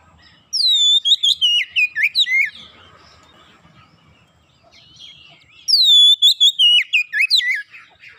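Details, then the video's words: Oriental magpie-robin song played as a lure to prompt caged birds to sing readily: two loud bursts of rich, slurred whistles, each sliding downward into quick warbled notes, separated by about three seconds of near silence. "PANCINGAN KACER mudah cepat gacor"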